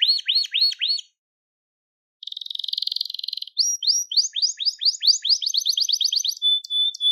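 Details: Crested Gloster canary singing, intended to train young canaries: looping downslurred whistles, a pause, a buzzy trill, then a long run of rising slurred notes ending in a steady pure whistle.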